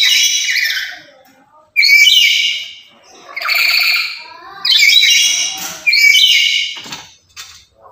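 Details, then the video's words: A lory, described as very chatty, loud and active every day and kept as a lure and song tutor for other lories, gives a series of harsh, loud, broadband screeches in bursts of about one second, with short gaps between. "Inilah Burung Nuri Yang Paling Cerewet Dan Lantang"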